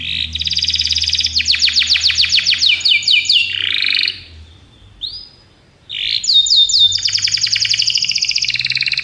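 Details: Training recording of a Belgian canary song: rapid rattling trills and repeated falling whistles for four seconds, a short pause with a single soft note, then the fast trilled phrases resume, with a faint low hum beneath.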